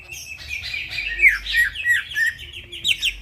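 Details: Greater green leafbird in energetic midnight song: a dense, continuous warble of overlapping slurred chirps and twittering notes with few breaks.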